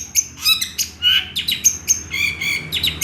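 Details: Long-tailed shrike singing a song filled with imitations of small birds: a fast jumble of high chirps, short whistles and harsh squawky notes, each burst brief and varied, with little pause between them.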